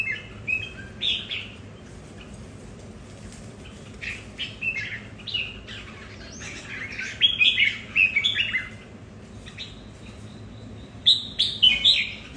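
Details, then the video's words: Household red-whiskered bulbuls competing over territory, each behaving differently: scattered chirps build into a loud run of bright, twisting warbled notes midway, then a fresh burst near the end, with quiet gaps between. "Những CB ở nhà so kè lãnh thổ, mỗi Cb mỗi nết khác nhau"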